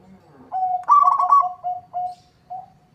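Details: Local zebra dove in lively song against a rival: a lower coo leads into a rapid warbling trill, then spaced, short low coos fading out over about two seconds.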